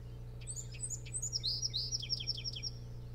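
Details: Osprey calling at night at a Hog Island nest near Bremen, Maine, in June 2018: a busy burst of high, sharp chirps and clipped whistles in quick succession, louder than the steady low hum underneath.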